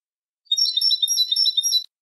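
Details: Goldfinch song intended for teaching young European goldfinches: a dense, continuous twittering trill of sparkling high notes held for over a second, without background noise.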